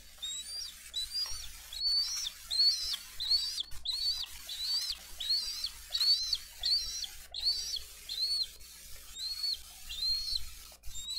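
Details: Parents bringing fish and feeding eaglets at a Dade County bald eagle nest on 22 April 2023: a long, rapid series of about sixteen high, arched, piping chirps with short gaps, plus faint hiss and occasional clicks.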